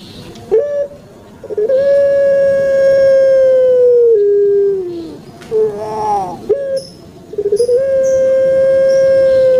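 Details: Puter pelung turtle dove kept as a pet on Java, Indonesia, sounding its long, deep 'kuk gerukkk kwokkk' call: a brief lead-in note, a wavering gurgle, then sustained flat low tones stretched over two seconds.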